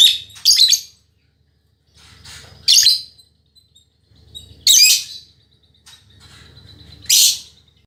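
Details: Chatty female lovebird of fighter temperament, used as training audio for caged lovebirds: sharp, shrill squawking chirps in brief bursts roughly every two seconds, with a soft low murmur between them.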